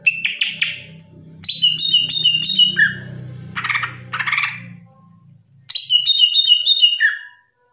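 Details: Top national greater green leafbird masteran song: short rapid stacked chips, then bright ringing whistled trills, harsh buzzy bursts in the middle and a low steady hum underneath.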